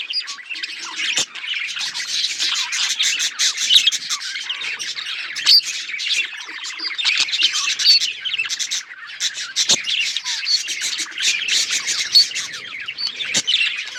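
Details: Dense budgerigar chatter, a continuous wall of warbled chirps and squawks from many birds, with scattered sharp clicks and no pauses.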